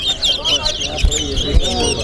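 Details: Towa-towa, or large-billed seed finch, in a bird whistling competition at Alligator Pond: a quick string of bright, high, slurred whistles and twittering phrases with faint crowd murmur and knocks beneath.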